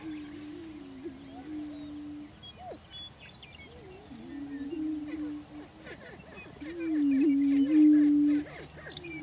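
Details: Greater prairie chickens displaying for breeding territory on a lek in Washington County, Kansas: low, hollow moaning booms held for a second or two, overlapping from several males, with sharp rising and falling cackles and faint higher chatter above.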